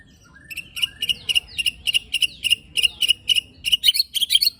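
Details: White-rumped shama delivering rapid shot-like phrases with coarse fill-in to stir rival shamas: a steady string of crisp, evenly spaced chips, quickening and becoming richer in the final second.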